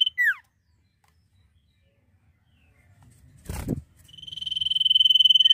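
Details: Common iora singing actively with the nyiul ending: a sharp downslurred whistle opens, then after a quiet gap and a dull knock comes a long, even, rapidly pulsed high trill.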